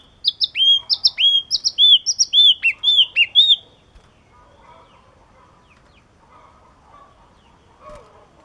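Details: Yellow-cheeked tit giving a rapid run of bright, high whistled notes, each sliding downward, about a dozen in three and a half seconds, then near silence with faint soft background noise.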